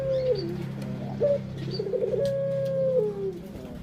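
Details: Pet puter dove lure sound to stimulate other birds: a brief coo fragment, a short rolling burr, then one long even coo falling slightly near its end, over a low steady hum.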